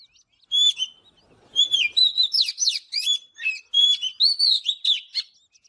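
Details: Oriental magpie-robin morning song for voice training: clear high whistled notes alternate with rapid chattering chirps in close, repeated phrases, with a faint low rustle early on.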